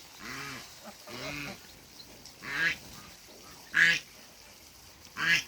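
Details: A pair of African geese on a farm, meeting other waterbirds: five loud, nasal, harmonic honks, each about half a second long, spaced one to one and a half seconds apart, the later ones sharper and louder, over faint background bird noise.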